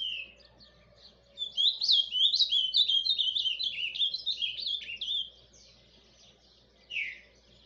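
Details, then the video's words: Paraná ultramarine grosbeak singing the soft surdina song: after a short opening note and a pause, a run of about four seconds of fast, jumbled whistled notes rising and falling, ending with a lone downslurred note. "AZULÃO PARANÁ CANTO SURDINA"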